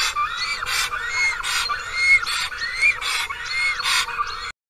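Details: On 10 April at a nest in Karula National Park, a black stork calls for its mate, who has not returned this year, with hoarse, arching whistled notes and breathy rasping bursts, repeated a little more than once a second.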